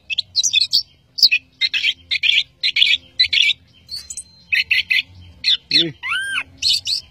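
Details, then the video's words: Orange-headed thrush singing a fill-packed gacor song for song training: rapid series of buzzy, scratchy high notes broken by a single arched, ringing note with strong overtones near the end. "Anis Kembang Gacoor Dor Mental Baja"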